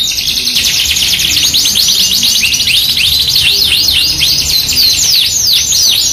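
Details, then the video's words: Yorkshire canary singing hard for a masteran lure: an unbroken series of quick arching, bouncing whistled notes over a faint high trill, even in pace and loud. "MASTERAN KENARI 2 IN 1 | KENARI GACOR YORKSHIRE FOI21 VS AF CENGKOK MEWAH | PANCINGAN KENARI AMPUH"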